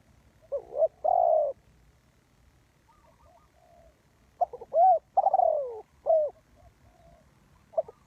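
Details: Spotted dove kept as a trapping lure. It coos in two bursts: clipped arched notes lead into a long coo that slides downward, with soft quiet notes between the phrases and a low background rumble.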